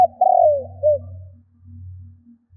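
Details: Spotted dove 'kích bổi' call fragment: a long descending coo and a short closing coo, followed by a low, rhythmic throbbing hum pulsing beneath.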